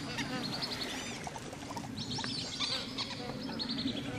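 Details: Australian wood duck recorded at WWT Slimbridge: several overlapping high, nasal, arching mews rise and fall, heard against a constant low hum and light clatter.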